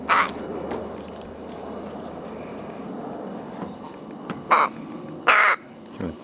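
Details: A rook at play with a feather and a flower gives three short, harsh, hoarse caws spread across a few seconds, with quiet pauses between them.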